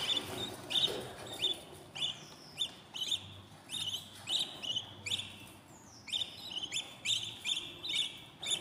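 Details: Baby budgerigars in a new nest at day fourteen, repeating short high rasping chirps about every half second, with a faint low hum beneath.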